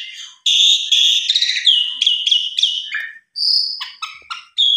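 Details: A male-type caged Asian pied starling, said to turn agitated on hearing a rival, pours out a rapid, varied string of loud whistles and harsher buzzy notes, sliding up and down in pitch with brief gaps between phrases.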